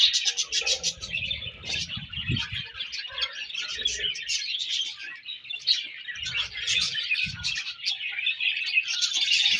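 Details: Budgerigars in breeding season: a continuous busy mix of warbling chirps, chatter and high squeaky notes from several birds, with soft low thumps and rustles scattered through.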